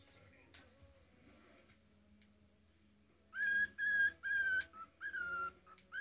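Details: A pet cockatiel whistles The Imperial March (Darth Vader's Theme) in clear, pure notes after a quiet start.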